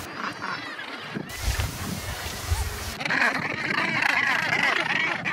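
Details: Northern Gannets at a breeding colony on Helgoland's cliffs give a dense chorus of harsh, grating calls from many birds at once, broken midway by a burst of wind rumble.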